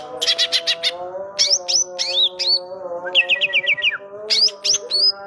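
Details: Greater green leafbird singing vigorously, its song filled in with imitations of the kapas tembak bird: bursts of high chirps, then sharp rising-falling whistled notes in quick groups, over steady low droning tones.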